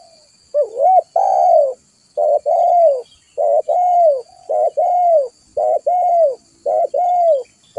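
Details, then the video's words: Spotted dove call used as a lure for other doves: a steady series of paired coos, a brief clipped note then a longer arched one, repeated about every second with short gaps. "Suara pikat burung tekukur"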